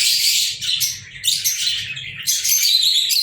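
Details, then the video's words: Pet lovebirds, recorded 14 February 2023, chatter in loud bursts of shrill, scratchy chirps that overlap and pause briefly, over a faint low hum. "Love Birds"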